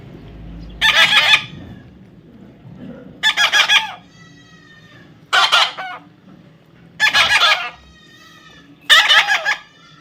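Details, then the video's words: Five rasping, buzzy screeches from a young parrot during taming, spaced roughly every two seconds, each short and harsh with faint ringing tones trailing after. "natural funny parrot sound"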